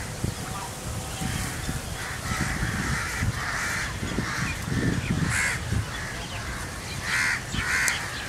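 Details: Migrating Rosy starlings murmurating above Hamirsar lake in Bhuj, Kachchh, 18 March 2018, heard from under the flock: a steady mass of grating chatter with louder harsh bursts near the end over a constant low wind rumble.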